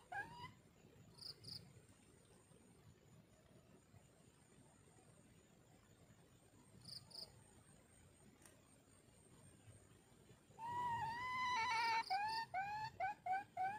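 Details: A red junglefowl hen gives mate-attracting calls. After about ten seconds of quiet countryside with distant insect chirps, loud harmonic notes begin, each sliding upward, repeated in a quick uneven series.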